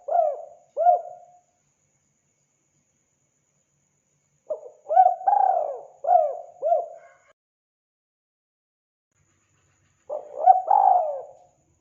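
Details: Spotted dove calling in bursts separated by silence: low, soft cooing phrases of several notes, each group of rising-falling hooted coos lasting about two seconds, with no other sounds.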